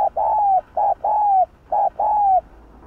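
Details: A spotted dove with a 'hạp bổi' voice repeats a steady two-part phrase three times: a short soft coo followed by a longer, smooth, gently falling coo, almost without pause.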